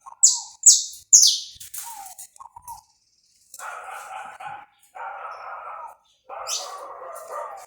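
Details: Saffron finch recorded live and uncut to warm up a bird: three loud, high notes swooping downward, softer chirps, then several harsh, rasping mid-pitched bursts each lasting about a second.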